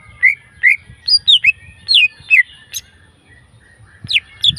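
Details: Wild green leafbird giving clear, rising and falling whistled notes one at a time, about two per second, then a quiet gap and a few sharp high chirps at the end, with faint low background rumble.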